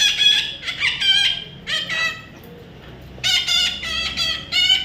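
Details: Baby parrot repeatedly uttering coarse, nasal squawks in clustered bursts, a brief lull midway, then another run of loud raspy calls.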